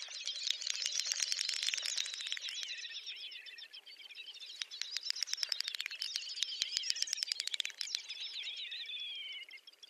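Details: Great Snipe display at a lek in Ryazan oblast, Russia, April 2019: high, rapid clicking mixed with twittering, warbling phrases that sweep up and down, in bursts across the whole stretch, with several birds overlapping.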